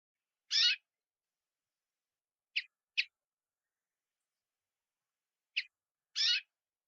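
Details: Brambling in Japan giving five short, harsh, rasping calls over seven seconds: a single note, then a close pair, then a second pair after a long pause, with silence between them.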